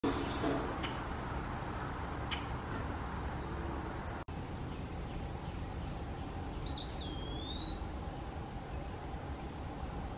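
Eastern wood-pewee gives one thin, slurred whistle that dips and rises again, pee-a-wee, over steady low rumbling background noise with a few sharp ticks early on.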